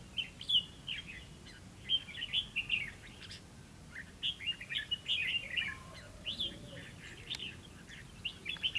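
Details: Red-whiskered bulbul recorded while being trapped on 11 November 2016; lively phrases of chattering, slurred whistled notes come in bursts separated by short pauses over a low rumble of background noise.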